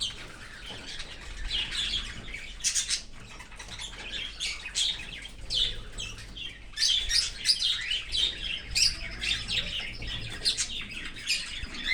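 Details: Open-aviary Australian cockatiel feeding a baby from outside its nest; dense, scratchy chattering calls run almost without break, growing busier and louder toward the end.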